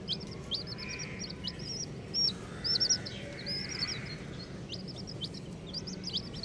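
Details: A group of colourful baby chicks gives rapid strings of high, bent peeps, with a few louder, sharper notes near the middle, all over constant low rumbling noise.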